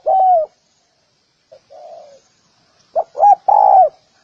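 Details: Spotted dove coos: a single long mellow coo, a pause with a faint, soft phrase, then a louder three-part phrase of two quick notes and a sustained coo.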